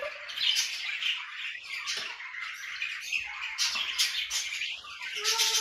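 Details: A pet grey parrot indoors, in a room with noisy budgerigars, gives three short rising-and-falling whistles, roughly one every one and a half seconds, over a steady background hiss.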